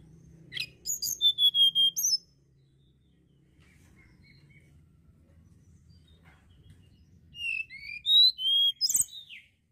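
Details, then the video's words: Sunda blue robin singing two bursts of high, sweet whistled phrases with quick slurred notes, separated by a few seconds of quiet low background hum. "TLEDEKAN GUNUNG"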